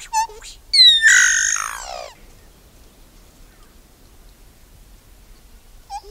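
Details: Iraúna-de-bico-branco, the solitary black cacique, gives a short whistle and then a loud, harsh, strongly layered phrase lasting about a second, followed by near silence and one faint closing note.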